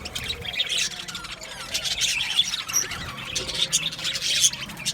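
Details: Australian budgerigars in an aviary colony, a dense mass of high chirps and squawks chattering over one another without pause, with a few clear short whistled notes above.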